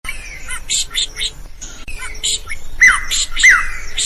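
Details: Lively drongo song, kept as a master recording for training other cage birds to sing: bursts of harsh, buzzy squawks and chattering notes, then two sharp whistled downslurs, each trailing into a steady ringing tone.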